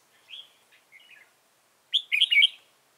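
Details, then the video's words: Red-whiskered bulbul serving as a trapping decoy in Dong Nai, Vietnam, 15 November 2017: quiet chirps, then a loud, rapid warbled phrase of several bright notes. "Bẫy chào mào Đẳng cấp Xòe mềm Vip"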